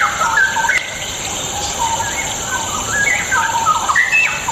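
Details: Straw-headed bulbul song meant to provoke lazy birds into singing: a flowing run of bubbly whistled notes and slurs over more than four seconds, set against a steady loud background hiss like water.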